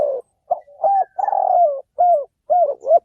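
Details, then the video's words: Decoy cooing of a spotted dove for trapping: a run of soft hooted notes and one long sliding coo, closely spaced, mid-pitched and clear, with nothing else audible. "tiếng chim cu mồi เสียงนกเขาใหญ่"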